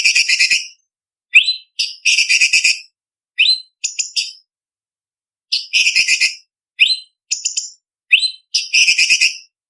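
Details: Cucak cungkok leafbird tutor song for contest birds: alternating loud rasping rattles and quick upward whistles, with clusters of high chips, repeated in a steady pattern of phrases and short gaps.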